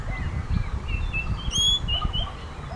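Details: ['One clear, harmonically layered whistled call from a common green magpie, midway through. Faint thin notes from other birds lie around it, with steady low-frequency background rumble.']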